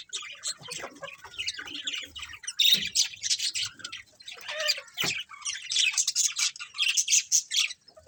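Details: A colony of colourful budgerigars chattering together: dense, scratchy chirps and squawks overlap almost without pause, with brief quieter gaps and faint low thumps beneath.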